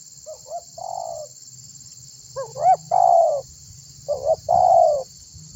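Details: Spotted dove calling for other birds to join in calling, used as a lure. Soft paired notes precede drawn-out hollow coos, and a louder phrase rises sharply before sliding down, over a steady hiss.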